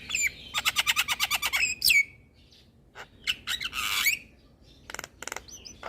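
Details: Javan myna full nodding song meant to lure and help moulting mynas; fast rattling string of about a dozen sharp notes ending in a slurred whistle, then rasping squawks and a long harsh buzzy note.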